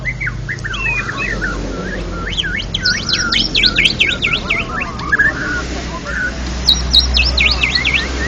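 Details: National champion white-rumped shama in ngeplong song: rapid series of high, steeply swooping whistled notes repeated in quick bursts, then a pause and another swooping run, over constant low mechanical humming.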